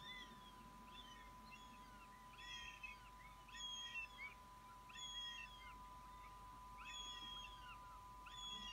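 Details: A fledged young northern goshawk that has returned to the nest to snatch food gives shrill, squealing, downslurred calls roughly every second and a half, over a steady low hum.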